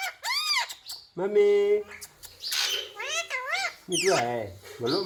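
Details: Pet ringneck parrot saying words like "mummy" and "papa": arched whistled syllables, then a long flat nasal voiced note, followed by wavy, squawky phrases at varying pitch.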